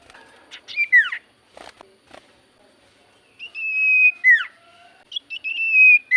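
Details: Common iora song played to prompt silent birds: steady long whistled notes that end in quick downward slurs, with faint clicks between phrases.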